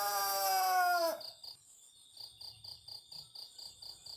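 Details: Pelung rooster, a Cianjur breed kept for its long crow, gives a long crow ending in a drawn-out, falling tone lasting about a second; crickets then chirp in steady pulses. Chicken.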